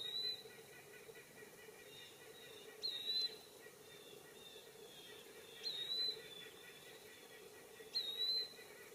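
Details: Eastern wood-pewee in woods giving short, high, clear whistled calls about every two and a half seconds, with white-breasted nuthatch and blue jay calling in the background.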